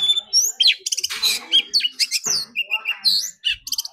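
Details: Oriental magpie-robin in a day-long singing contest pours out dense song. Loud whistles, harsh buzzy bursts and rattling notes crowd together with almost no pause, over some low background noise.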